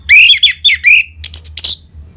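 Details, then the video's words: Orange-headed thrush, played to stimulate caged birds to sing and to rouse them: loud, varied whistled and harsh phrases, rising and falling, with buzzy notes near the end and a low hum beneath. "ANIS MERAH Ngeplong Mantap Pancingan Burung Langsung Nyaut Gacor"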